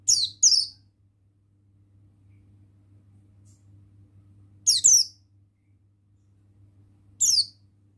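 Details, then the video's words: Male buxtoni Oriental white-eye with high, sharp, descending double twitters, bursts spaced several seconds apart over a faint steady low hum. "Bustomi Sembur Gacor Suara Ampuh Pemasteran Burung Pleci Bustomi Ngalas Ikutan Bunyi"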